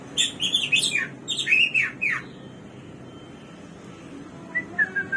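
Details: Hwamei, or samyong/garuwa, the bird said to have 1001 voices, giving a loud run of varied, sliding whistled notes. A quiet gap follows, then a few softer descending whistles.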